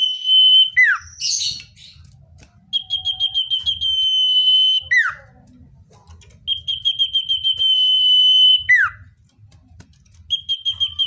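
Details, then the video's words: Common iora, natural song used to lure wild birds closer: long high level whistled trills alternating with sharp downward-sweeping whistles, phrases repeated about every three to four seconds, with faint low background rumble. "Suara cipoh/sirtu (natural)||Cocok untuk mikat cipoh/sirtu liar"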